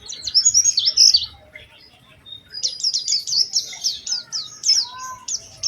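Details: Oriental white-eye singing a lively lure song with special phrasing, meant to prompt other white-eyes to sing: a high, squeaky twittering burst, a short pause, then a run of rapid downward-sweeping notes.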